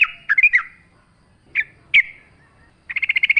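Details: Yellow-vented bulbul singing persistently in wild forest style, a lure recording with natural ambience: scattered bubbly chirps separated by pauses, ending in a fast rattling series of repeated notes.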